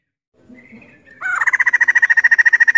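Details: A female white-crested laughingthrush (poksay jambul) gives a few faint notes, then breaks into a loud, rapid rattle of identical clipped pulses, about ten each second, held steadily to the end.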